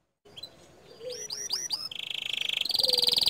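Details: Green canary in tutor song, its 'tembakan' shot notes said to rile other canaries: soft opening notes, four looping whistled upsweeps, then a dense buzzy trill that climbs into a higher, faster rattle.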